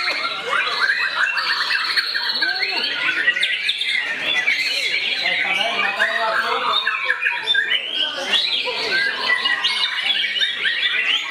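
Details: White-rumped shama in an aggressive display toward a rival, delivering a busy, jumbled medley of sharp whistles, chattering phrases and buzzy trills that barely pause, with faint human voices in the background.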